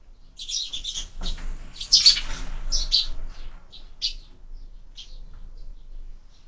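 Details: Sparrows at a bird feeder mounted on a window, giving short high chirps in a loose burst over the first three seconds, then scattered single notes fading out; faint low indoor rumble underneath.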